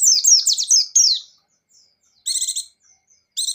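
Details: Buxtoni white-eye, called pleci, singing gacor and ngecir: a quick cascade of high chirps lasting over a second opens, followed after a pause by two short pulsed high trills.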